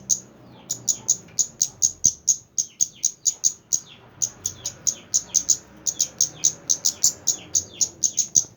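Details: Lively kemande song made of steady, rapid, very high squeaky chirps, roughly three to four each second, with one short break near four seconds, over a soft constant background hiss.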